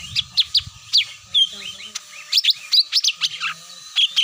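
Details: Cucak mini lure call used to draw wild birds down: rapid high, sharp chirps and short slurred whistles in quick irregular bursts, about a dozen notes in four seconds, with faint low rumbling beneath.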